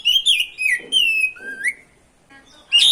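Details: Oriental magpie-robin song played to stir up other magpie-robins; long sliding whistles, a flat sustained note then a rising one, ending in a harsh burst.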